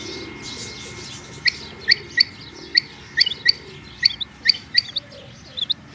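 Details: Rain quail (Coturnix coromandelica), possibly a female calling: short, sharp high chips, roughly two or three a second in loose pairs, over a low background hiss.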